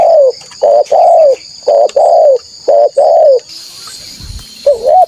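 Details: Lure call of a spotted dove meant to provoke wild rivals: repeated soft, low coo phrases, each a brief note followed by a longer downslurred coo. A short noisy rustle breaks in near the end before one more coo. A faint high whine persists.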